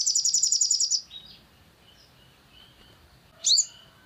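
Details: Sunbird lure audio, crimson sunbird: the tail of a quick, high trill, then soft faint notes, and a single loud squeaky sweeping call near the end.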